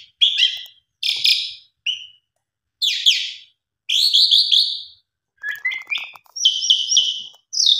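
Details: Song used to lure pied mynas into singing. Separate buzzy, harsh phrases arrive about once a second with silent gaps, then turn into rising chirps and repeated high notes.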